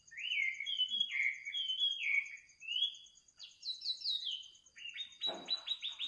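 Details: Wild bird singing at midnight: a run of clear whistled phrases, each swooping up then down, followed by quick descending notes and a burst of rapid sharp chirps, with a steady high insect trill throughout.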